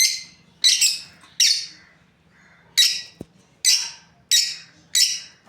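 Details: Breeding pair of lovebirds calling with loud, grating high chirps, around eight bursts at irregular intervals, one doubled early on, plus a single soft click in the middle.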